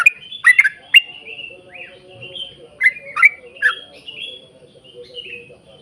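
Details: Yellow-vented bulbul in 'ropel panjang' gacor song for drawing other bulbuls to sing: a few loud bubbly notes early on, then softer, drawn-out slurred whistles that trail off toward the end.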